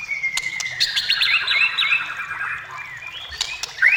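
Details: Song of a white-rumped shama, used to lure other shamas into singing: a long descending whistle overlaid with fast warbled, looping notes, ending in a sharp upward whistle.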